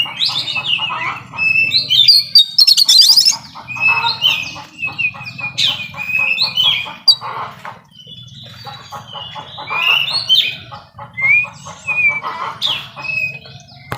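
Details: Oriental magpie-robin in 'nembak' song full of 'isian' fill phrases, used to coax quiet kacer into singing: dense, varied run of sharp whistles, rapid trills and buzzy pulsed rows of notes, with high clear slurs, nearly unbroken throughout.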